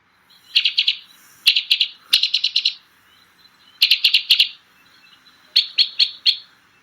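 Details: White-winged Crossbill song, a winter bird around Edmonton: very chirpy, sharp staccato bursts of dry, high-pitched chips, delivered in quick clusters of four to six notes about every second or two.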